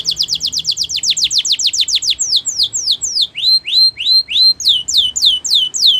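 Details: Canary champion song for training: a long run of sharp descending chip notes repeated rapidly, shifting into slower swooping rising and falling whistled notes, steady and loud throughout.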